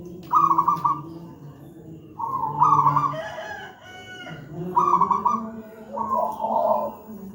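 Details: Zebra dove of local wild stock singing a heavy, full master song: stuttering rolled coos in three phrases about two seconds apart, each ending in a lower wavering note, with a constant low background hum.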